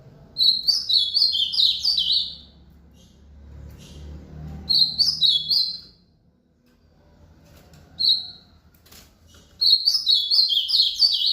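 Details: Repeated rally song of an ultramarine grosbeak after an outing: three warbled phrases of rapid slurred whistles plus one brief single note, with gaps of low room noise between them.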